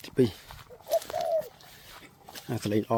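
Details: Spotted dove kept as a decoy to lure wild doves, giving low mellow coos: a short note, then a longer, slightly falling coo, with a man talking loudly just before and after.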